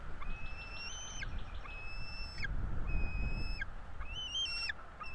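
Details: Bald eagle chicks, two nestlings at a northeast Florida nest, begging while being fed by their parents on 5 April 2022: thin, high whistled squeals, each about a second long, held level then sliding down, five in a row over a steady low rumble.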